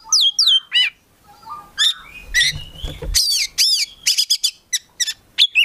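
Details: Oriental magpie-robin, a kept bird, singing a mix of descending whistled slurs, harsh buzzy notes and quick sharp chirps, with faint low rumbling in the background.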